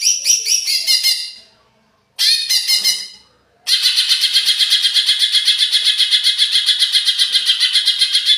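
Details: Agitated greater green leafbird, lure song: rapid stuttering bursts of harsh, rich notes, then a sustained fast chatter repeated several times a second.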